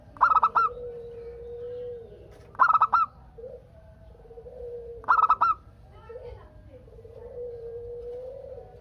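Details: Zebra dove, local Indonesian bird, in lively song to prompt answering doves. Three sharp stuttered coo phrases about two and a half seconds apart, with long, steady low coos from other doves running underneath.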